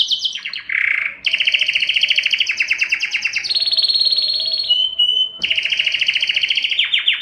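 A Spanish Timbrado canary sings an unbroken chain of fast, metallic trills and rolls that switch to a new pitch every second or so. A brief pure whistle comes near the end.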